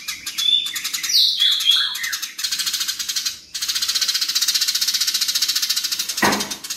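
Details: House sparrows in a fight: it opens with mixed chirps and a high whistled slide, then a long, steady run of loud, fast, buzzy rattling ticks, ending with a brief sharp thump.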